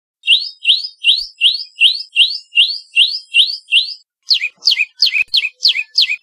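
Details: Common tailorbird (Orthotomus sutorius) in Rajasthan, India, calling: a loud, high series of about ten sharp rising notes, two or three a second, then a short pause and six quick falling notes.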